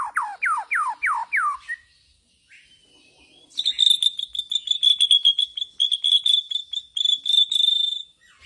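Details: Bornean white-rumped shama in bowing style: five quick descending whistled slurs, a pause, then a long rapid, slightly buzzy trill of repeated high notes.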